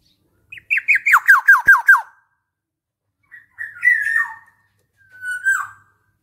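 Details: Black-naped oriole, described as a vocal, chattering bird, gives a run of about seven harsh, nasal notes, each sliding downward, followed by two drawn-out slurred notes with pauses between. The background is otherwise quiet.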